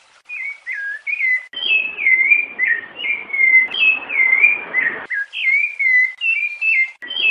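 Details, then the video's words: A male rufous-bellied thrush sings rich, fluting whistled phrases that slur downward, strung together almost without pause, with softer female calls mixed in. "SABIÁ LARANJEIRA CANTO PIEDADE SENHOR COM PIADOS DE FÊMEA"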